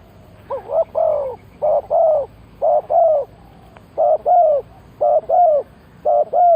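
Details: Decoy spotted dove luring wild birds with a steady run of paired coos, about one pair per second. The soft, warbling notes bend up then down over a low, quiet background hum.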